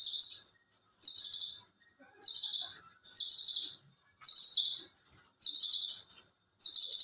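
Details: Branjangan (bush lark) of the alinea type, a competition bird in full song, valued for song length and material over volume: loud buzzy high bursts, each about half a second, repeated roughly every second, seven phrases.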